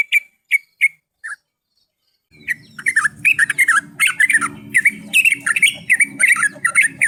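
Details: Yellow-vented bulbul lure recording: a few sharp isolated chirps, a pause, then a dense run of bubbly, warbled phrases jumping between notes, over a low steady hum.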